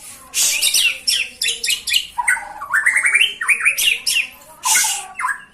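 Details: A white-rumped shama pours out a dense, continuous song of rapid chattering notes, stepped rising whistles and harsh bursts, loud and varied throughout with almost no pauses.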